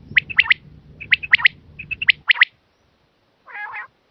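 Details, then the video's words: Quail call used as a lure for catching quail in hunting: sharp high chirped notes in quick clusters of three to four, then a pause and a softer buzzy burst. "The quail's voice to catch"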